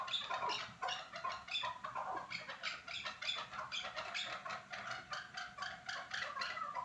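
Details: Chukar partridges at Norak: a dense run of harsh, rapid chuck-like notes from several overlapping birds, repeated without pause across the clip.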